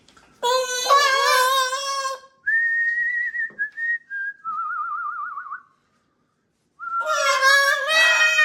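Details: Macaws in a flock during indoor kitchen playtime, a change of environment for the parrots. A long, rough, buzzy squawk opens, then clear whistled notes, the last one wavering rapidly. After a pause a second loud squawk ends it.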